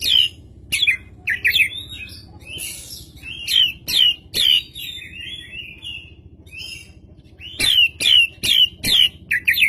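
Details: Oriental magpie-robin with spread tail, recorded as a lure: short loud whistled notes repeated in a steady series, with soft hissy phrases between them over a low hum.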